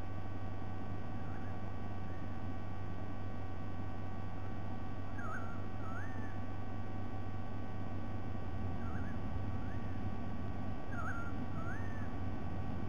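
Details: White-bellied sea eagle, recorded 07 12 2020: thin, wavering call notes arrive in pairs, each pair rising at the end, repeated several times against constant low-pitched background hum.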